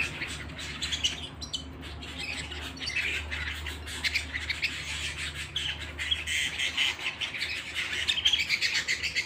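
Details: ['Domestic canary song indoors, continuous high twittering trills that grow busier and louder toward the end, with a faint low hum underneath.']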